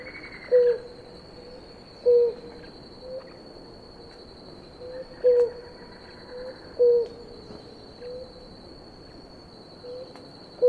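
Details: Blue ground dove pair at water, drinking; single short, soft hoots at an even low pitch recur every one to two seconds, fainter notes between, against a constant thin high-pitched insect drone and faint distant bird notes.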